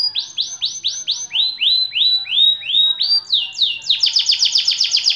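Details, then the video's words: Long-duration song from a white canary: a series of clear, drawn-out down-slurred whistles that gradually drop in pitch, then rise again and speed into rapid high repeated notes. "KENARI AF PUTIH DURASI PANJANG"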